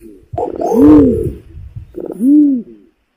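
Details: Imperial pigeon calls used as a lure: two deep, booming coos, each swelling and then falling away, about one and a half seconds apart. A faint rumble sits underneath.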